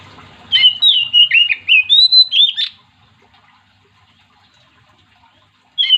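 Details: Vigorous song of an Oriental magpie-robin, said to provoke other magpie-robins into singing: about nine rapid, varied whistled and warbled notes over two seconds, a long silence, then a new phrase begins.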